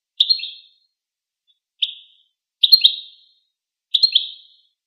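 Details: Goldfinch giving four quick, high twittering phrases, about one per second, each a cluster of sharp, tinkling notes in silence.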